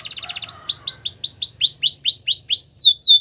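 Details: Canary singing, offered as training song: a brief rapid buzzy trill, then a steady run of rising-then-falling swooping whistles, roughly four per second, ending with higher sweeps.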